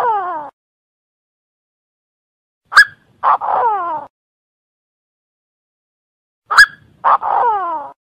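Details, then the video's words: Calling francolin in Cambodia: a clipped, harsh phrase repeated about every four seconds. A sharp opening click leads into a short grating note and a descending, nasal, drawn-out note. Background is silent. "សំម្លេងធ្នាក់ទទា Beautiful Sound Francolin Calling"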